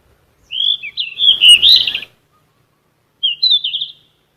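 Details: Flycatcher of the genus Ficedula, an insect-eating bird of shrubs and trees, singing for training captive songbirds: a long, high, warbled phrase of sweet whistles and trills, a pause, then a shorter twittering phrase, with a clean, quiet background.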